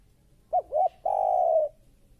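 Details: Spotted dove (tekukur) called fierce (galak), from a lure recording used to attract birds for trapping: two quick short coos followed by one long, even, mellow coo, clean with little background.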